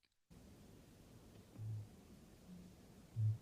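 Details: Near silence with a low background hum and a few soft, dull thumps, with no animal voice.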